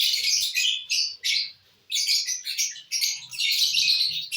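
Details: Lovebirds feeding on corn, keeping up an almost continuous, loud, high-pitched chattering with short gaps and soft pecking sounds.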